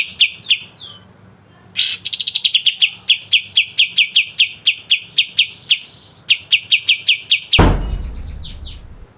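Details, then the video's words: Clear pied triller (kapas tembak) song for songbird training: slurred high notes, then a harsh burst and a long fast run of piercing repeated notes, a second run, and a loud low thump near the end. "Masteran full kapas tembak dengan besetan tajam"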